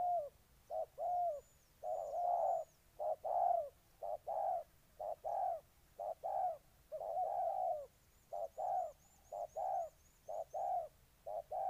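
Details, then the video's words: Spotted dove from Ninh Thuận, Vietnam, singing: repeated soft cooing notes in short bursts about once a second, steady mid-pitched coos, with faint high thin chirps from another bird in the background. "Cu gáy Ninh Thuận"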